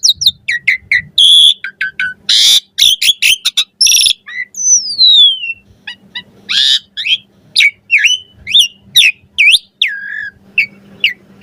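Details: Asian pied starling song recorded to train birds, full of variation: harsh noisy bursts, chips, a long descending whistle, then a string of loud squealing slurred notes; faint low hum underneath.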